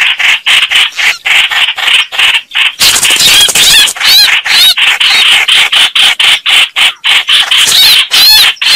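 Red-whiskered bulbuls fighting: loud, harsh chattering bursts about twice a second, mixed with sharp, wavering squeaky notes.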